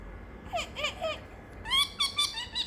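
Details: Bored pet parrotlet calling indoors on a warm Friday afternoon, making funny noises: a few soft slurred chirps, then a louder run of five sharp squeaky notes.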